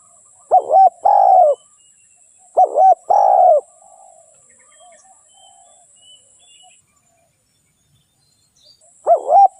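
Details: Spotted dove, a trapping lure bird, repeats its cooing phrase three times: paired short croaky notes followed by a sustained lower coo, with a long silent gap before the last phrase.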